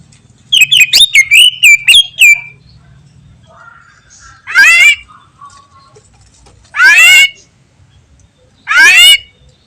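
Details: Cucak ijo, the greater green leafbird, singing energetically: a rapid string of sharp whistled notes, then three loud, harsh, rasping downslurred bursts about two seconds apart, with faint low hum behind.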